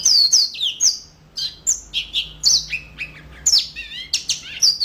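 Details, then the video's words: Yellow-fronted canary pouring out high, sweet song: a fast run of downslurred whistles and chirps, ending in a rapid trilled flourish and more sharp notes. "Mozambik Gacor Full"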